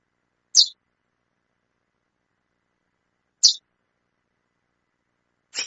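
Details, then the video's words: Calling female chestnut-bellied seed finch giving brief high, bright chip notes roughly every three seconds against a quiet background. "fêmea de curió chamando muito"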